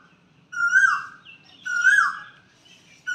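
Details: Asian koel calling from a peepal and banyan tree beside a Shiva-Kali temple in spring, 5 April 2025, giving two loud, clear 'ku-oo' notes about a second apart, each swelling then sliding down; faint chatter of other birds.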